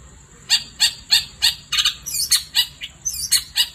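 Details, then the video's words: Night song of a long-tailed shrike: rapid harsh, scratchy notes about three per second, turning into twisting squeaky whistled phrases, with a continuous high whine in the background. "Kicau Cendet Gacor Di Malam Hari"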